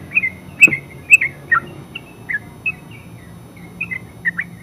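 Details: Yellow-vented bulbul (terucuk) song, softer and more spaced: scattered bubbly, slightly descending notes with gaps between them, plus a faint click and low background hum.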